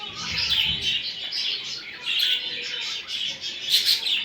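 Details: Budgerigar chatter meant to encourage a male to mate: bright, scratchy warbled chirps in short bursts, rising and falling in loudness about every second, with a sharper squeaky flourish near the end.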